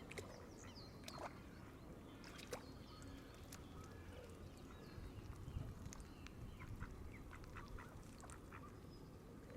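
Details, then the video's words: A flock of Canada geese feeding on grass at the water's edge surrounds the camera, giving scattered, overlapping honks and short clucking calls over a steady low rumble, with church bells sounding. "Canada Geese Frenzy – Right in the Middle of the Flock!"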